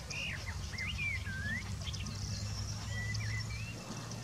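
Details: Singing Woodchat shrike at Chekfa, Jijel, known locally as bouares or boulhenni: clear swooping whistles and twisting slurs with scattered high ticks, then longer flat whistled notes, over a low humming background.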